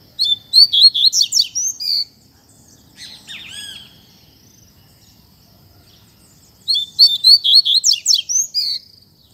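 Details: Fibra-style song of a Double-collared seedeater: two loud bursts of rapid, high, metallic chirps and trills, each about two seconds, separated by a quieter slurred phrase and a pause, over faint low hum.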